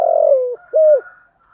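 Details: Decoy spotted dove calling to lure wild doves: the tail of a long falling coo followed by one short, level hollow note, then quiet.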